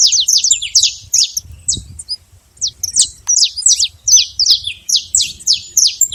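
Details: Wild, free-living saffron finch delivering quick runs of high, bright chirps, several notes per second, broken by a brief pause before a fresh run of similar downslurred notes; faint low background rumble.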